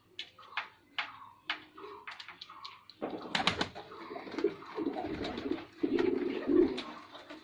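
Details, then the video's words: Male white pigeon performing indoors, with sharp clicking and tapping sounds for three seconds, then dense, low burbling coos that pulse in repeated swells until the end. "Pigeon Sound Effect || Male Pigeon Super Performance || White Pigeon"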